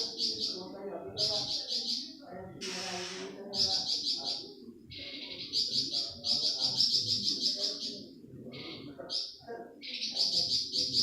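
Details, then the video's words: Flamboyan songbird recorded as a master tutor for training pet songbirds such as cucak ijo and magpie robin: rapid, dense, high trilled phrases in bursts, separated by short pauses, with faint low background sounds. "Tembakan Burung flamboyan"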